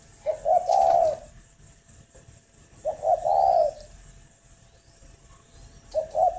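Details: Spotted dove at a breeding farm in Ba Vì, Hanoi, Vietnam, repeating a soft, hollow cooing phrase about every three seconds. Each phrase is a brief lead note and a drawn-out, throaty coo.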